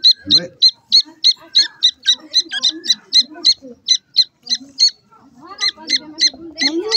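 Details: Francolin chicks at feeding time keep up a fast, steady string of piercing high peeps, about three a second, with a short pause before the calls resume; soft low rumbling underneath.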